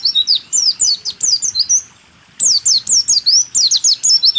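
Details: White-eye song, a training recording for caged songbirds: fast series of high, steeply falling whistles and rising slurs in two energetic phrases broken by a half-second pause.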